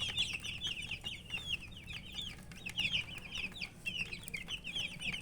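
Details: Many baby chicks, dyed in various colours, give shrill downslurred peeps in rapid overlapping runs, swelling and fading in waves, with a faint low hum behind.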